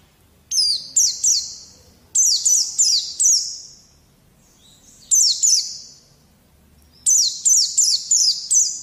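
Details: White-eye song used to train untrained young birds to sing, heard as four clusters of shrill, descending chirps, three to five notes per cluster, each separated by short pauses.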